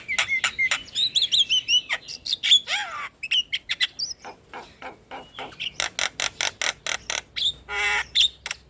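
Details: Song of a starling, offered as therapy to get silent caged starlings singing: a long, dense stream of sharp clicks and chirps with a few slurred whistles, speeding into rapid, evenly spaced ticks.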